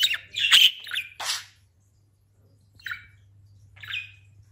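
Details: Pet talking budgerigar, freshly moulted and heavier, giving a few loud harsh chirps and a squawk, then a silent gap and two brief buzzy trills, all indoors.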